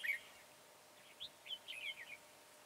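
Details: Red-whiskered bulbul trapping with a decoy, 22 January 2018: fainter, soft whistled notes, one brief loud note at the start, then a short string of slurred chirps against a hiss.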